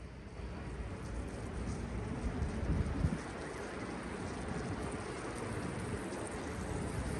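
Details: Steady rain patters throughout, a dense hiss of falling drops, with no animal calls heard.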